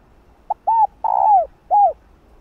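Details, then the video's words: Spotted dove hen calling for a male: crisp full phrase of a tiny lead note, a smooth coo, a lengthy buzzy rolling coo that falls away, and a closing arched coo, with little background noise. "Chim cu gáy thúc trống,gọi trống đưa trống lên đỉnh | cu mái gáy"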